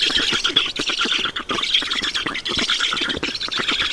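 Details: Feeding at a black stork nest in Estonia, 7 June 2019, 16:18: a continuous chorus of scratchy squawks in quick uneven pulses, loud and steady throughout, with brief dips now and then.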